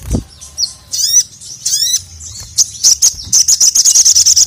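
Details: Sogon calling the male, a tutor recording for lazy birds; a few clipped high chirps and steep descending slurs, then a quickening run of short, very high pulsed notes repeated about three per second.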